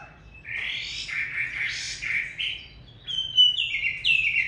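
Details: Chinese hwamei singing on a freezing day: sweeping whistled phrases gliding up and down, followed by three loud descending slurred whistles in quick succession.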